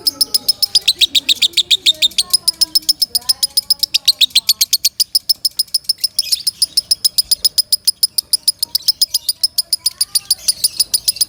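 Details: Lovebird in loud song for training other birds: long rapid train of high metallic chirps, about four per second, briefly thickening into a harsher burst midway, with faint lower chatter early on.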